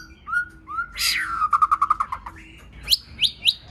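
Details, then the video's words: White-rumped shama in varied song meant to rouse other shamas and teach them to sing: two low clear whistles, a burst, a falling run of quick pulsed notes, a steady held whistle, then three sharp upward-sweeping notes. "Kích Chòe lửa hót nhiều giọng"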